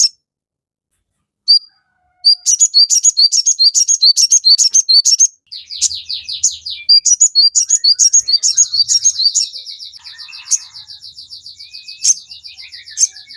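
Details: Crimson sunbird singing a lively, chattering song played to train captive birds; rapid high sharp chirps repeated about three per second, then a long fast trill of thin buzzy notes fading out.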